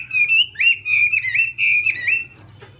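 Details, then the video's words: Chinese hwamei in morning voice practice, giving a few loud sustained whistled phrases that wobble and swoop, then falling quiet. "Hoạ Mi Hót Đấu /hoạ mi hót sáng luyện giọng"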